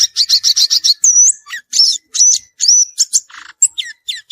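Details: Violaceous euphonia in the wild: quick rattling series of high notes, followed by clear slurred whistles, a short buzzy note and more sharp descending chirps.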